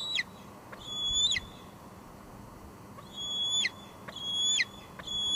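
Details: Evening squeeing from a female bald eagle visiting her nest at Two Harbors, July 2022, caught on a live cam: scattered piercing high notes that drop at the end, in two bursts separated by a pause, over a soft steady hiss.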